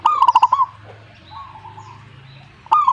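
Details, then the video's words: Zebra dove song: a run of quick, staccato coos ending in a held coo, a pause with faint cooing from another bird, then the next phrase begins. "suhu perkutut jika nyaut Burungmu bagus berarti"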